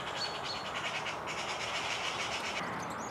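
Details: Close, unafraid European serin delivering a dense, high, rattling twitter that pulses steadily, with a thin whistle near the start.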